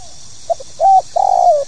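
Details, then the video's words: Tekukur, the spotted dove, calling in 'pokal tanggung' style: two soft short notes, a level sustained coo, then a longer trembling coo that slides downward, all mid-pitched over a constant background hiss. "SUARA PANGGILAN BURUNG TEKUKUR POKAL TANGGUNG"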